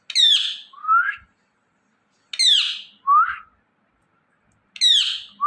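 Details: Indian ringneck parrot chirping in a repeated pattern: a buzzy, harmonic downward note paired with a quick rising whistle, the pair heard three times about two seconds apart.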